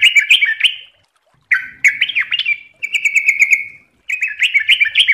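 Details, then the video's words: Ropel-style fast song of the yellow-vented bulbul (trucuk): rapid bubbly warbles broken by pauses, including one sustained run of evenly repeated notes at a steady pitch. "MASTERAN TRUCUKAN GACOR||LANGSUNG NYAUT CEPAT ROPEL||TERAPI TRUCUK"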